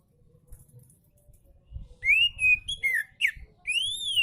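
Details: Oriental magpie-robin song to make lazy magpie-robins sing: after a quiet start, clear flat and descending whistles, a sharp slur, then a long rising-falling whistled arch.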